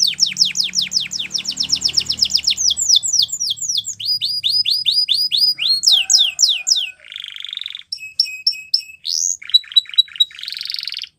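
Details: Canary training song: rapid repeated downslurred notes, a run of loud slurred whistles, then varied buzzy trills and short chattering phrases.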